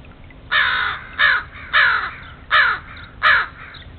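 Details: Crows onto a stray cat in a backyard, cawing in a steady series of five harsh, hoarse calls, each under half a second, spaced roughly every three quarters of a second.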